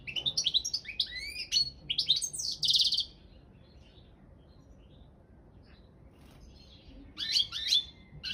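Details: Balkan European goldfinch in a singing competition delivers about three seconds of quick twittering and buzzy notes, then falls silent for several seconds before a short final burst of twitters.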